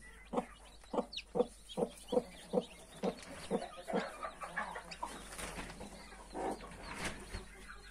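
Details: Mother hen beside 31 newly hatched chicks, clucking in a steady series of short, low, even notes about twice a second for four seconds, then softer scattered clucks and faint chick peeps.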